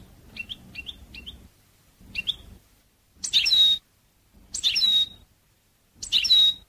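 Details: European goldfinch, educational song for training birds: a few short high double notes, then three louder twittering phrases ending in a clear falling whistle, spaced over a second apart, with a faint low hum.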